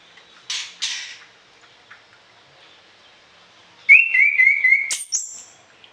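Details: Orange-headed thrush in full song with varied fill-in phrases, meant as morning and evening tutoring for other songbirds: two soft buzzy notes, a pause, then a rapid run of short upslurred whistles ending in a thin, very high note.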